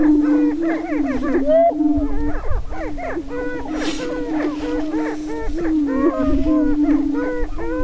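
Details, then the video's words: Greater prairie-chickens displaying on a lek in northwest Minnesota near Crookston, April 27, 2013, during the spring mating dance: a steady low booming hum runs throughout, overlaid by many rapid arching whoops and cackles from several birds. "Dancing With The Prairie Chickens"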